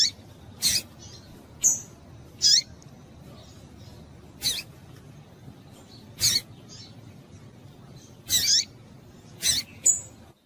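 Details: Calls of a female double-collared seedeater in breeding condition, meant to excite males: brief high clicking chips, sometimes doubled, spaced about one to two seconds apart, with quiet background hiss between them.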